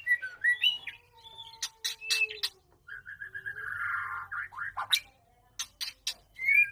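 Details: White-rumped shama during mating, giving quick whistled slurs, then a rapid buzzy rattling run that falls away. Loud clicks and knocks come between the phrases.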